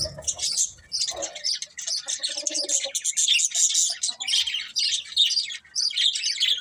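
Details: Pet budgerigars chirping, a dense, continuous chatter of high warbled and scratchy notes with brief lower squawky bursts near the start and around two seconds.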